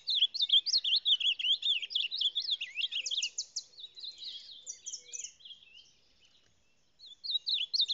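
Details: Ultramarine grosbeak (reina mora) from Salado in full song: loud, rapid run of sweeping whistled notes and buzzy trills, a brief pause near the end, then the phrase starts again; background otherwise quiet.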